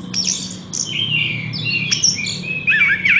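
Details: Horsfield's bush lark singing buzzy, slurred phrases ending in a loud wavering whistled flourish.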